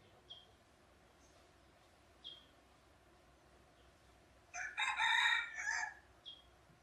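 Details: Red junglefowl near a pagoda in Teuk Chob Khnar Po Community Forest, Siem Reap, Cambodia: brief raspy crow bursts after several thin, sharp high chirps from a small bird repeating every two seconds.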